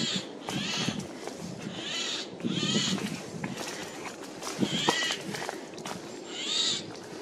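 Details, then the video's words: Loud calls of a Eurasian jay in woodland in mid-April 2024, the bird moving between trees: about five raspy, noisy screeches spread across the recording over rustling, crunching background noise. "Голос сойки"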